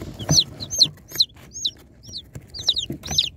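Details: Peeping baby chicks during unboxing: bright, shrill notes that arch and drop, roughly two per second, some doubled, against a quiet low murmur of movement.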